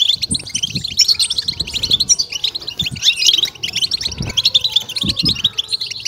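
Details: Goldfinch song of the stimulating, excitement style: a dense, unbroken stream of quick high twitters and jingling notes, with soft low thumps in the background.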